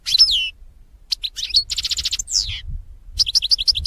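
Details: Goldfinch song played to lure birds for trapping: a loud, liquid, slurred opening note, then rapid tinkling, a buzzy trill, a downslurred whistle, and quick repeated bright notes, over low rumble.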